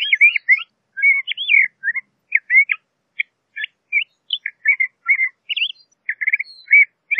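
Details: Singing LeConte's thrasher delivers a long, rambling sequence of quick, varied notes, slurred chirps, sharp upward ticks and short warbles, spaced unevenly with small gaps, all fairly high-pitched against silence.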